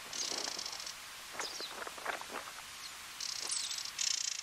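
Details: Spectacled warbler (Sylvia conspicillata orbitalis) on Fuerteventura, Canary Islands, Spain, gives a brief burst of scratchy, jumbled notes, framed by a steady high insect buzz at the start and end.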